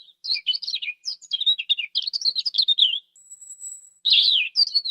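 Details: European robin singing: quick varied warbling phrases of high twitters and trills, a thin high whistle near the end, then a dense burst of chattering notes; clean recording with no other sounds.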